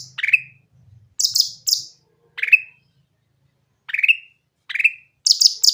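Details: Grey-cheeked bulbul singing cleanly as bait to prompt silent bulbuls: bright falling whistled notes spaced by pauses, interspersed with clusters of very high scratchy chirps, in an otherwise quiet background.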